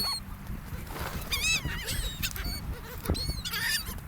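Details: Beach seagulls at a gulf, near people: rapid, high, harmonic, bending cries from several birds in quick succession, over a rumble of surf.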